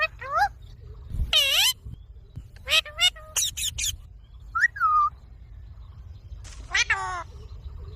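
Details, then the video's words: Young rose-ringed parakeet, a green baby ringneck kept as a pet, producing a rapid series of harsh harmonic squawks, short chirps and falling whistles separated by brief pauses, over a faint low background hum. "Ringnek baby parrot|Mithu ki video|Green baby parrot|Parrot sound videos"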